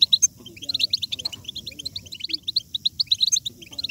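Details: European goldfinch batbata, a twitter played to urge goldfinches to sing hard: busy, overlapping high twitters and sharp ticks almost without gaps, over faint low hum.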